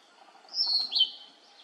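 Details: Male Narcissus flycatcher, a single short phrase of about half a second: high warbled notes with a brief trill, rising and then falling, over faint background hiss.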